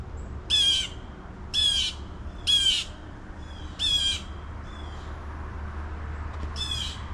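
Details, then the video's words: Loud blue jays screaming beside a hiking trail at River Bend Nature Park in Ormond Beach, Florida, along the Tomoka River: five harsh, nasal, grating calls roughly a second apart, then fainter ones, over a low background hum. "You can hear those blue jays screaming. Wow, he's"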